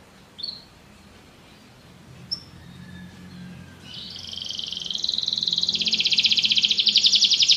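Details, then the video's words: Canary: after a few isolated faint chips, a rapid buzzing trill begins and swells in volume, shifting to a higher, louder rattle near the end. "Canary bird | o canário canta muito bem"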